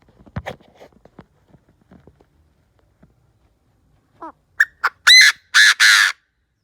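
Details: Chinese francolin decoy bird calling to lure wild birds: after faint clicks, a short series of rising, quickly stepped notes leads into three loud, harsh, grating notes near the end, the last two long and buzzy.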